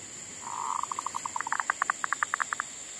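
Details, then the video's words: Decoy zebra dove singing once more in a garden after wild monkeys disturbed it: a swelling coo, then a brisk run of about twenty staccato notes, the later ones doubled, over a steady hiss. "Pikat andalan sudah mau manggung lagi di kebun,Sehabis di ganggu MONYET LIAR !!,sempet mogok bunyi"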